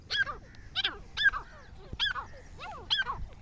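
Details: Loud, rhythmic black francolin call: grating notes with sweeping descending strokes, delivered in uneven bursts about every half to one second over faint background rumble.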